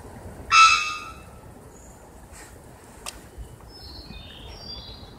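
A single loud, ringing, metallic bonk from a Three-wattled Bellbird, about half a second long, followed by faint high thin whistles from other birds.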